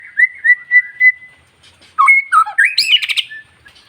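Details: White-rumped shama (murai batu ekor panjang), a kept bird, singing to stir up and provoke other shamas: a series of clear whistled notes, then a rapid jumble of rising and falling whistles with harsh chattering bursts.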